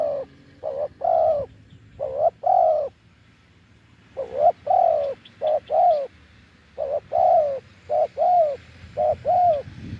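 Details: Deep-voiced wild spotted dove at a decoy perch: repeated phrases of mellow hollow coos, each a short note then a longer one, continuing through the recording over faint rustling.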